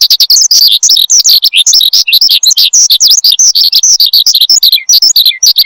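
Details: Non-stop high song of a branjangan, the Oriental skylark, used as lure and master sound for cage birds: fast jumbled chirps, slurred notes and trills without pause.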